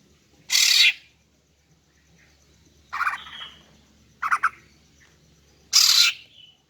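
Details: Female greater green leafbird calling to lure and provoke males: loud harsh broadband bursts about half a second long, spaced irregularly, with softer chattering notes between them.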